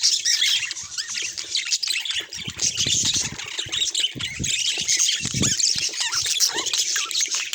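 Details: Budgerigars in a dense, continuous flock chorus of high chirps, squeaks and warbled twitters overlapping without pause, with soft low thumps in the background.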